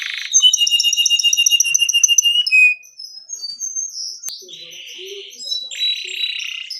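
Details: Canary in long song, opening with a rapid, even trill of high whistled notes, then scattered sweeping whistles and softer chatter with a few lower notes.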